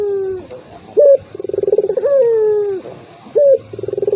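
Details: Turtle dove lure call for provoking a rival reluctant to call: a sharp high note, a rolling pulsed trill, then a long drawn-out coo sliding downward, the phrase repeated.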